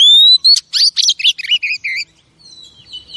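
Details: Female oriental magpie-robin, a pet bird, singing to stimulate male birds: a long rising whistle, then a quick run of clear chirps and warbled notes, a faint trailing whistle at the end.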